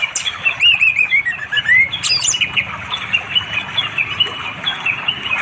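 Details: Orange-headed thrush calling a female to mate, recorded on Android in the afternoon by a flowing river in forest far from settlements, East Java; clear whistled, slurred phrases with high sharp notes, over a steady hiss of water and insects.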